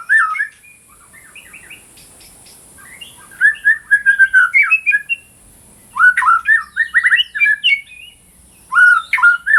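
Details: White-rumped shama singing vigorously, used as training audio for shamas that have stopped singing. Three bursts of rapid chattering and whistled notes, varied and tumbling, are separated by short gaps.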